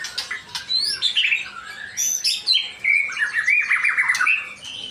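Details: Male white-rumped shama from Indonesia singing a varied run of loud whistled phrases, sliding notes and buzzy trills that rise and fall, with a few sharp clicks between phrases.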